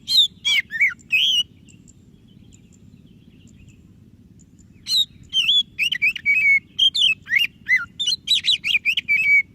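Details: White-breasted Oriental magpie-robin in energetic song, meant to stir a quiet magpie-robin: an opening cluster of whistled notes, a few seconds of near-silence, then a long rapid string of bright, varied whistles.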